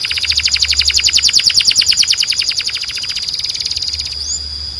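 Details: Belgian canary song, said to call the other canaries in: a long rapid pulsing trill over a sustained high tone, fading toward the end, followed by a single rising whistle.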